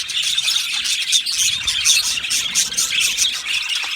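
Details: Colony of Australian budgerigars in an aviary: a dense, continuous chorus of high, scratchy chirps and short squawks overlapping without pause, steady in loudness throughout.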